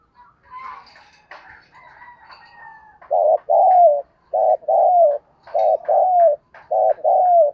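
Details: Spotted dove cooing to stimulate a newly caught wild bird into cooing quickly. Mixed chirps and whistles from other birds open the clip. Then loud low double hoots, short then long and slurred, repeat rhythmically about every second.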